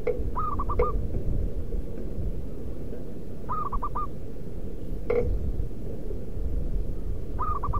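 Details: Local wild zebra dove calling, used to draw other doves into song: three quick phrases of four hooting coos, spaced about three seconds apart, with sharp knocking clicks and a constant low rumble behind.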